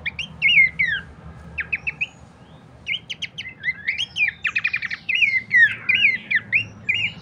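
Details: Abbott's babbler, meant to lure and train birds: sweet slurred whistles alternating with quick stacked trill bursts, the phrases coming in steady waves with brief gaps.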